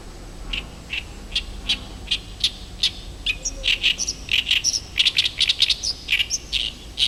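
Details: Oriental reed warbler singing behind a house in early summer, when it arrives each year and sings morning and evening until finding a partner: loud, rapid harsh chattering notes, strongly repeated, grating phrases tumbling over one another.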